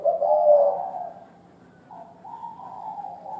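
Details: Spotted dove, an old bird from the forest, cooing in the thổ đồng style: low, soft, hollow coos, a long drawn note followed after a gap by a series of slightly higher, wavering coo notes.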